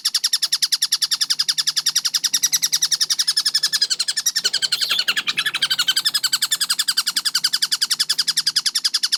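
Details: Kingfisher called tengkek buto pouring out a dense, fast run of shrill repeated notes, briefly rougher and noisier around the middle before resuming its even rhythm.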